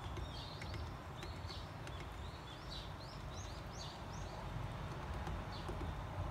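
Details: Varied tit filmed in spring while vigorously pecking open sunflower seeds; a string of brief upslurred chips repeats about twice a second, mixed with faint taps and a constant low outdoor hum.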